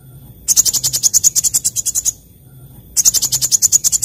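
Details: Morning song of a sunbird: two bursts of fast, buzzy, very high trilled notes, each lasting over a second, separated by a short pause.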